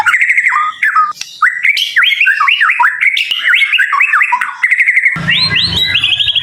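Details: Leg-banded caged murai in Kemayoran, Central Jakarta, Indonesia, delivers fast whistled phrases that jump between high and lower notes, some buzzy, ending over a low background rumble.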